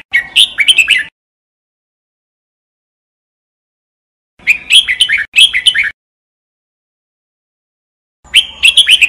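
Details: Red-whiskered bulbul song for training: the end of a chattering phrase, a long quiet gap, then two rapid warbled phrases back to back, more silence, and another phrase beginning.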